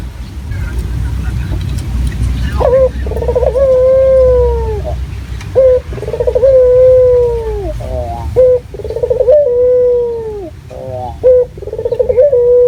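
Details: Local Barbary dove, used as a lure, calls in a clear, natural voice after a few seconds of low background rumble: a regular series of rolling coos, each a quivering onset held as a long, smooth, gently falling note, about every three seconds.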